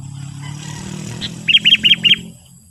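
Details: Sooty-headed bulbul call used to draw and provoke wild bulbuls: a fast series of four bright, clipped chirps over steady engine-like rumble.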